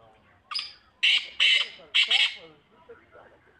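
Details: Black francolin calling: a short rasping opening note followed by loud harsh grating phrases, three strong bursts in a rhythmic sequence, then quieter trailing sounds.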